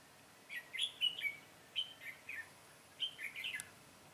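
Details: Red-whiskered bulbul recorded while trapping on 22 September 2017: bright whistled, warbling phrases in three quick bursts, each of several rising and falling notes, with a steady background hiss.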